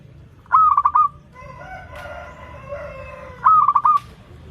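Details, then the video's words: Local zebra dove song, offered as a lure for doves learning to sing. Two clipped, stuttering coo phrases, each ending in a held note, about three seconds apart, with a rooster crowing loudly between them. "PERKUTUT LOKAL GACOR Suara Merdu || pancingan paling disuka perkutut yg belajar manggung"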